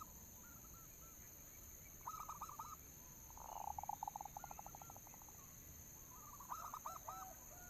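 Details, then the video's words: Local zebra dove used as a lure: bursts of short coo notes, then a rolling purr that breaks into rapid, even staccato notes, and another coo burst at the end. Soft background hum. "suara pancingan perkutut lokal"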